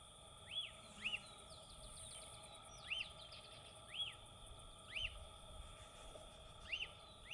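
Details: Lesser elaenia singing in the wild in Brazil: clear, arched whistled notes that rise and fall, given singly or in pairs about once a second, over a steady low hum and faint higher insect-like buzzing.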